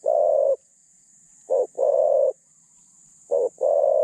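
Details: Spotted dove kept as a decoy for catching wild doves, its voice medium and phrasing thin; loud low coos, each a short stuttered double note then a long steady note, repeating about every two seconds, faint hiss throughout.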